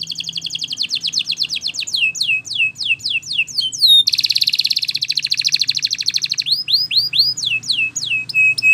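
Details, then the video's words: Spanish Timbrado canary singing: fast metallic trills and rapid rattling rolls, then rising and falling whistled phrases, bright and high-pitched throughout with no other sounds. "Canary Singing Bird Sounds"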